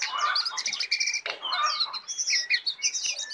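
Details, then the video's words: A tame Brown prinia singing its full 'isian' song nonstop; quick, high, clipped chirps come in rapid, uneven series, mixed with slurred whistles. "jongkangan jinak dan gacor full isiaan"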